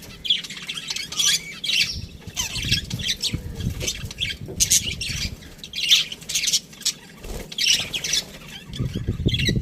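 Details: Budgerigars in an aviary, many birds chirping at once: dense, scratchy chatter with repeated short squawks and warbled notes overlapping continuously, with low rumbling background noise.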